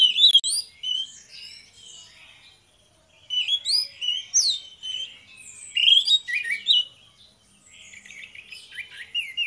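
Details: Duo of orange-headed thrushes singing ngeplong as a singing lure: bursts of rich, varied whistles, squeaks and mimicked-sounding chirps, broken by a short silence midway, then resuming in loud energetic phrases.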